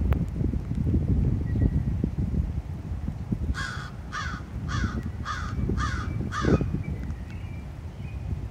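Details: Crows at a high school in Chatham, Ontario, on June 11, 2023, give a short burst of six hoarse caws midway, preceded and followed by several seconds of rumbling background noise.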